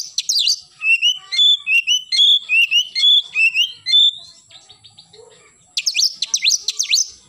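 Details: Oriental magpie-robin in lively morning song, the 'nembak' style: a long run of clear, repeated whistled notes at steady pitch with some bent slurs, a short lull, then a final burst of steep rising and falling whistles.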